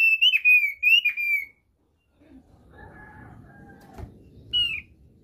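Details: Thick-billed white-eye from NTT, Indonesia, singing its basic song (kicau dasar): a quick burst of clear, down-slurred whistles, then a stretch of low background noise with faint tones, ending with one more short whistle.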